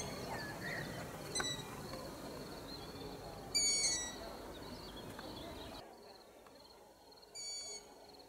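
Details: Long-eared Owl from a family with young in their nest tree at the end of a garden in a village centre, adults nearby; two high, thin, squeaky calls about four seconds apart over a steady high insect hum.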